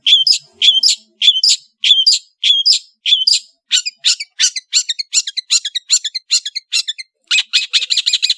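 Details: Long-tailed shrike from Madura singing vigorously in a varied master song: a run of sharp, scratchy chirps repeated about every half second, then faster rasping notes, ending in a rapid harsh burst.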